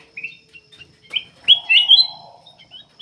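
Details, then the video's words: Black-capped bulbul singing persistently, used as a lure to draw other birds into song: short clear whistled phrases, a louder rolling warble near the middle, and a low buzzy note underneath. "KUTILANG EMAS \ CUCAK EMAS GACOR FULL GACOR sangat bagus buat pancingan \ pikat"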